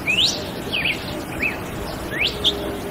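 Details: Red-cowled cardinal singing its melody: a clear rising whistled slur, then short wavering whistled phrases and a second upswept note, spaced irregularly over steady background hiss.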